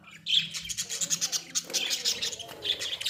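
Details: Australian budgerigars kept in a small cage chatter continuously, a dense run of high, rapid, scratchy warbling notes with a few clearer squeaks.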